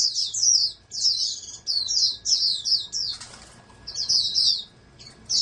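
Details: Oriental white-eye raised in captivity as a prospective national champion, giving high rapid twittering phrases broken by pauses; a brief flutter or rustle interrupts midway, over faint low hum.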